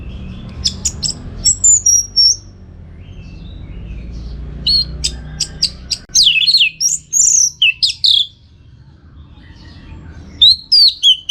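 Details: Orange-headed thrush, trained for bird song contests in North Bali, delivering scattered sharp chirps, then a dense run of high twisting whistled notes, a pause, and a final whistled flourish.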